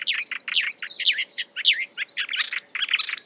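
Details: Marsh warbler, imitating other birds, delivers a fast jumble of bright chirps and squeaky whistles, about a hundred notes a minute, over a faint background hiss.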